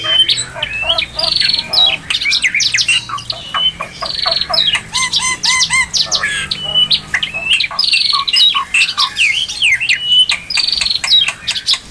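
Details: Oriental magpie-robin, a dense continuous stream of varied whistles, rapid trills, buzzy notes and squawky mimicry-like phrases with hardly any pause across twelve seconds.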